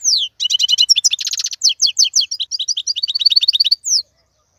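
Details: Wild male European goldfinch singing to teach young birds: a falling whistle opens a dense, nonstop stream of buzzy trills and tinkling chirps, ending with another descending slur.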